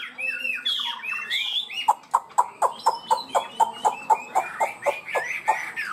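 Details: Chinese hwamei, a caged songbird, singing in the 'cao cầu' style, quick and steady to start: opening varied whistled slides, then a string of sharp rising notes repeated about four times per second.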